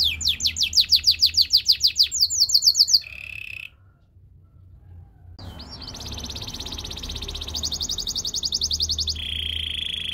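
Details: Belgian canary in seductive song: a quick run of sharp pulsed notes, a short low roll, near silence, then a long buzzy trill that shifts pitch toward the end.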